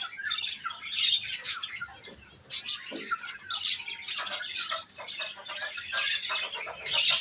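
A budgerigar chick gives harsh, scratchy squawks and chirps in quick, irregular bursts.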